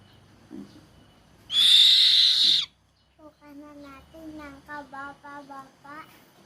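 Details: Buffy fish owl giving one loud, harsh, hissing screech lasting about a second, followed by rising and falling tonal voice-like sounds with music and people talking.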